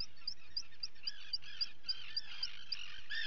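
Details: Common guillemots at a nesting colony on 28 June 2020, as chicks are being fed: high, wavering whistled calls over a quick, steady ticking about four times a second, with a low rumble underneath.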